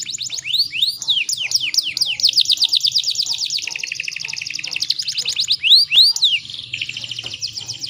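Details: Female canary in breeding condition, used to stimulate males to sing. Bright looping whistles give way to long, rapid high trills that shift speed and pitch, with a couple of loud swooping notes near the end.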